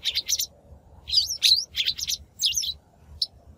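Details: Shrike calls from a lure recording meant for trapping or voice training of captive birds: rapid scratchy, buzzy bursts with a couple of upslurred whistles, delivered in a fast uneven chatter.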